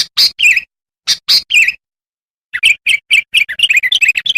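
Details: Sooty-headed bulbul lure song: two loud, sharp phrases with whistled endings, a pause, then a quick run of bubbling, chattering notes that speeds up.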